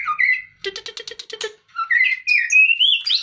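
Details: Away from its cage, a white-rumped shama gives a whistled note, then a fast run of six harsh clicking notes, then a rising string of clear whistles that climbs higher at the end.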